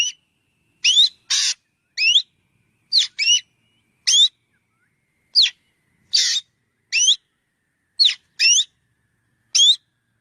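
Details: Black drongo in a long run of calls: mostly clear rising whistled slurs, some doubled, with a few harsh scratchy notes, spaced irregularly over ten seconds.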